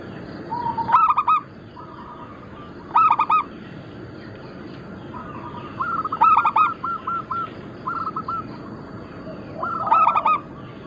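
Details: Local zebra doves of the Bangkok crossing type, calling as a flock. Loud, resonant clusters of quick coos break out roughly every two to three seconds over softer, steady cooing from other birds.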